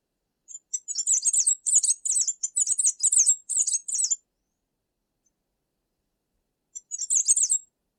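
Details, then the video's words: Tanager singing a fast run of high, sharp chirping notes in quick bursts for about four seconds, then a pause and one more short chirpy phrase, with no other sounds. "SONIDO DE LAS TANGARAS"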